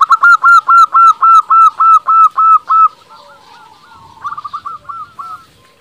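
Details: Local Indonesian zebra dove singing as a lure to provoke rival doves into answering: about eleven loud, even cooing notes in quick rhythm for three seconds, then softer, broken notes answering faintly.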